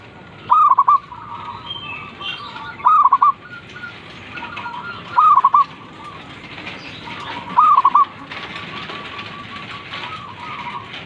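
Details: A zebra dove repeats its morning call roughly every two and a half seconds, four phrases of one held coo then a stuttering run of short notes, with soft background bird chatter.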